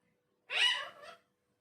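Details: Talking parrot making a single harsh, raspy cry lasting under a second, bright and hoarse, trailing off into a softer tail.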